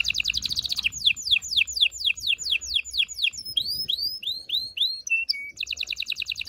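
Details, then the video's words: Canary singing to prepare females and males for mating: a fast trill, then a series of swooping downward whistles, upturned chirps, a short flat note and another quick trill. "غناء طائر الكناري لتحفيز و تحضير الاناث و الذكور للتزاوج و تغريد المستمر"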